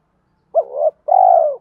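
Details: Single phrase from a lure spotted dove in the 'giọng thổ' voice, meant to provoke fighting and draw wild birds in: a short rising-falling note, a brief pause, then a long, even, slightly falling coo.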